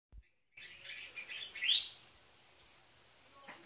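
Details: Collared finchbill calling on 20 May 2016; the bird comes daily to knock on a window, like an alarm clock in nature. Soft chirpy notes with one bright rising note near the middle, then fading into quiet background.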